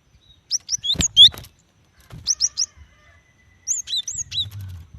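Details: Female cinereous tit calling to a male, her voice very fast: three bursts of high, sharp chirps, each a quick run of three or four rising-falling notes, with a short click and soft low rumble between.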